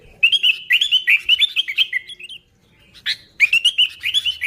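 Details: Sooty-headed bulbul in lively, unembellished natural song, used to lure other bulbuls: bright, slightly buzzy whistled notes in quick bubbling runs, repeated phrases with a brief pause midway before singing resumes.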